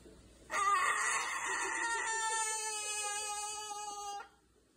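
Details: Pet umbrella cockatoo singing along with its owner indoors: one long sustained, steady, tonal note held for about three and a half seconds after a brief rough onset, quiet room otherwise.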